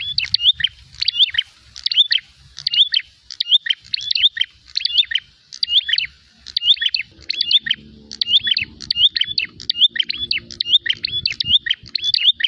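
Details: A prinia calling aggressively to challenge a rival gives a steady string of high, piercing chirp clusters, about eighty phrases a minute, with a soft low hum underneath partway through.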